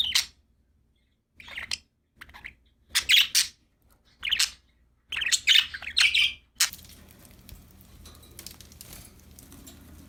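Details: Happy budgerigars chirping in quick scratchy bursts and warbled buzzy notes, several clusters over a few seconds, then a steady low background hiss with no calls.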